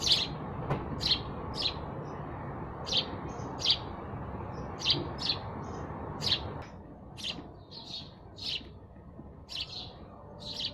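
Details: Sparrows chirping in a lively series of short high chips, irregularly spaced, several overlapping, the background noise dropping away partway through.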